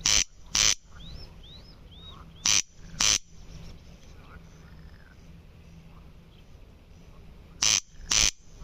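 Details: Corn crake uttering harsh paired rasps in three bouts separated by pauses of a second or more, while softer whistled notes from other birds fill the gaps.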